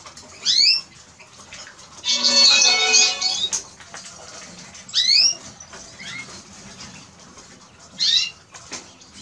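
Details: Eurasian siskin song: short high upward-sweeping whistled notes with bright overtones, then a long harsh buzzy wheeze around the middle, followed by more scattered rising chirps separated by quiet pauses.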